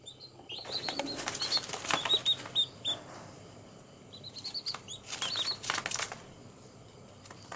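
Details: Day-old baby chicks on green ground make quick high peeps in two clusters, mixed with loud rustling and pecking noises.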